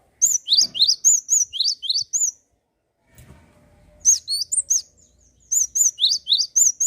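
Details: Java sparrow singing energetically to spur other birds into song: rapid bursts of bright, high chiming and upslurred chirps, two phrases separated by a pause with a soft low thud, then a third burst.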